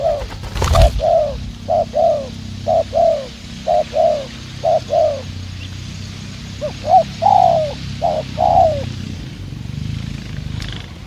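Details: Spotted dove from Vietnamese decoy trapping, a wild-caught bird with a fast coo. Soft, hollow coos repeat in brisk phrases, with one sharp click near the start.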